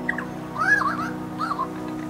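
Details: A male superb lyrebird in the Blue Mountains, Australia, mimics a currawong in a territorial display: two ringing whistled phrases of swooping, rising-and-falling notes, over a steady musical drone.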